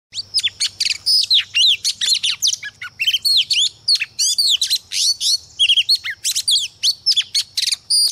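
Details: A female Oriental magpie-robin sings a fast, varied string of sweet whistles, rising and falling slurs and scratchy notes, in short bursts with brief gaps.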